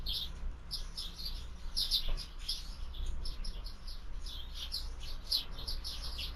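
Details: Sparrows at a feeder in the afternoon: many overlapping short high chirps and cheeps, busy and continuous, over a steady low rumble.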